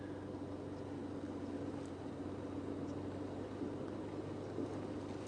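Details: A vehicle engine hums steadily throughout on an early-morning drive, a low continuous drone with a faint steady tone and no animal calls heard.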